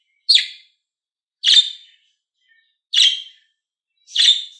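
A budgerigar gives four short, scratchy, high chirps, evenly spaced about one and a quarter seconds apart, with nothing else audible.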